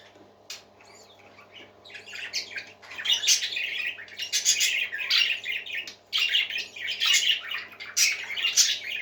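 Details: Happy parakeets in full chorus indoors, starting quietly with a few chirps, then swelling into loud, busy warbling and raspy squawks that continue in overlapping bursts to the end, with a low steady hum behind.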